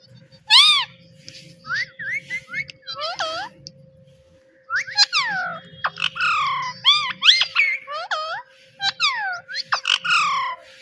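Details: Cute pet parrot mimicking speech with "Mitthu Mitthu"; many short, arched, harmonic syllables in quick groups across the recording, with a brief lull in the middle, over a soft low hum and faint muffled rumble.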